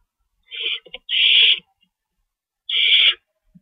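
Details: Owl recorded at 11:50 PM on March 22, 2012, around the delivery of a rabbit; three rasping hissed screeches, the first short, then two longer ones about a second and a half apart.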